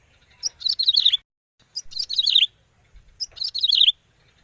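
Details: Bar-winged prinia (ciblek) call used as a lure to attract birds: three short bursts of high, sharp chirps, each about half a second long, with quiet gaps between them.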